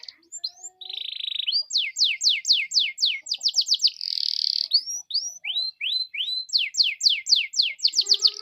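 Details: Lure song of a canary to prompt other canaries to sing: a low buzzy roll, then long runs of crisp descending sweeps about four per second, broken by a loud buzzing trill and rising slurred notes.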